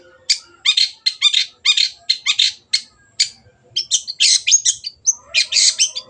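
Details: Long-tailed shrike (cendet) singing vigorously as a lure recording to coax stalled birds into singing: dense bursts of buzzy chattering notes in quick groups, brief pauses, then harsher clustered phrases toward the end.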